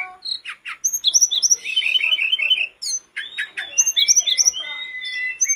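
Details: Sooty-headed bulbul singing nonstop as a training lure for captive birds, delivering quick chattering bursts, fluttering warbles and bright whistled notes in a dense, ever-changing stream.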